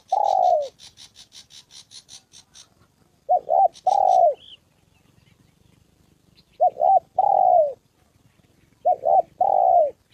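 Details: Spotted dove in Gia Lai, Vietnam, a decoy bird set out for trapping that meets a wild male and a dropping female, repeats husky coo groups. Two brief notes lead into a longer falling note, with a short insect trill early on.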